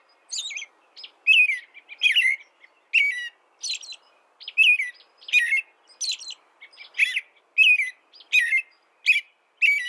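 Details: American robin giving a lively sequence of short whistled phrases, some dropping in pitch, others squeaky and high, repeated over a second apart in an even rhythm.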